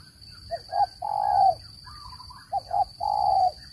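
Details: Spotted dove call used as a lure for trapping birds: two phrases, each of two short soft coos followed by a long, drawn-out low coo, with a steady faint high-pitched whine behind.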